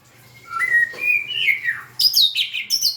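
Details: Singing white-rumped shama: smooth rising whistles that climb and fall, followed by a cluster of very high, sharp, sweeping notes.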